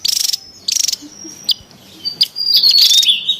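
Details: Javan tesia in the wild, a lure and training sound: two harsh buzzy bursts, a long thin high whistle, then sharp ticks leading into a squeaky, sweeping twitter.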